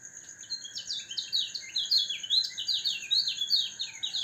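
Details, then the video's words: Caged white-eye (kecial kuning) set out for morning dew exposure, meant to keep it healthy and singing loudly: a rapid, busy chatter of high, sliding twittering notes, continuous throughout, over two steady high-pitched background hums. "pengembunan #kecialkuning agar burung tetap sehat gacor dan volume suara semakin besar"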